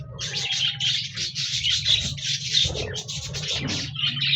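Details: Budgerigars, also called parakeets, recorded on 26 January 2024, singing and chirping together: dense, continuous warbling chatter of rapid scratchy chirps and trills, overlapping without pause, over a steady low hum.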